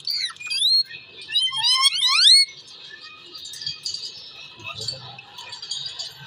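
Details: Ringneck parrot chatter: rapid rasping, rising harmonic syllables for about two seconds, then quiet hissy room noise with faint scattered sounds.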